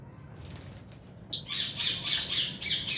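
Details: Albino and Fisher's lovebirds in an aviary burst into rapid, continuous shrill chattering, a fast run of high pulsed notes after a second of quiet.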